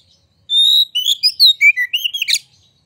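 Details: White-rumped shama in full song, used as a lure to provoke other shamas into singing: a long steady whistle near 4k, then rapid varied whistled and slurred notes ending in a harsh burst, clean background.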